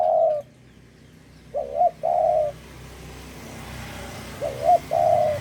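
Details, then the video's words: Spotted dove from Java, recorded as a lure for bird trapping, gives a trailing coo and then two full phrases, a wavering note and a long steady coo, over constant rumbling background noise. "Pancingan Derkuku Jawa"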